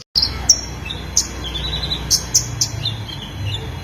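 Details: Konin in full song with fillers: scattered thin, high chirps and short down-slurred notes, fainter than the surrounding hiss, over a steady low rumble.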